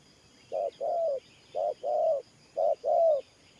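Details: Spotted dove giving Thổ Pha style coos: three deep double notes, each a brief hoot then a drawn-out mellow coo, evenly spaced, over soft distant chirping.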